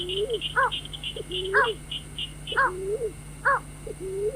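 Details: White-breasted waterhen lure for night trapping: rising, arched nasal notes alternate with bright harmonic calls about once a second, under a dense line of high piping notes, with a steady hum.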